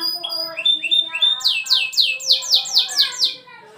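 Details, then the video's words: Canary masteran training song for young canaries: soft rising whistles leading into a loud series of about nine sweeping downslurred notes, then quiet. "terapi masteran kenari efektif untuk kenari muda agar cepat gacor"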